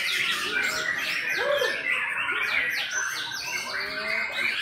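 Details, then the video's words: White-rumped shama described as top-class premium, giving a dense, continuous run of chirps, slurred whistles and quick descending sweeps, with a few lower whistled notes, over steady background chatter of overlapping bird sounds. "MURAI BATU KELAS UTAMA"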